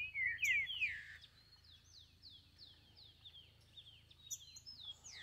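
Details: Wild green-winged saltator in forest: brief loud tangle of whistled notes at the start, then a long series of soft, thin, quickly repeated down-slurred notes, with a few high chips; steady low hum throughout.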